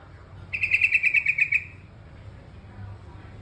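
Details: Terucukan kebo bulbul giving a quick burst of about ten sharp, bright, evenly spaced chirping notes lasting about a second, over a low background rumble.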